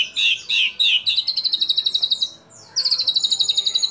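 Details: Actively singing white-rumped shama mimicking kapas tembak, cililin, lovebird and canary: three loud chirps, then a fast high rattling trill, a short gap, and another bright trill.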